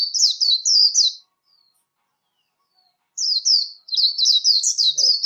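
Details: Voice-training recording of a warbling white-eye's competition song: a second of quick high warbled notes, about two seconds of silence, then a renewed, accelerating run of sharp twittering sweeps.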